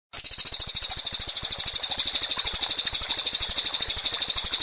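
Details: Cililin song in the tight rapid-fire style, clean master for training white-rumped shamas: a very high, fast pulsing trill of about eight even beats per second, sustained throughout after a sudden start.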